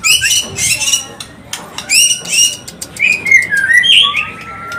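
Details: Mating song of a white-rumped shama for inducing breeding condition: three harsh, rasping bursts a second apart, followed by flowing, liquid whistled phrases and a long, thin, rising whistle.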